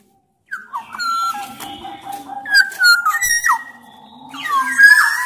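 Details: Vigorous black-naped oriole of the Sumbawa type gives a string of fluty whistles on a steady pitch, broken by sharp falling slurs, then a loud harsh, cat-like rasping note to close.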